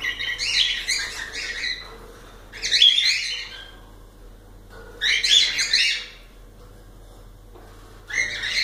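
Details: Cockatiels giving dense, harsh warbling chirp bursts about a second long, separated by quiet gaps of one to two seconds.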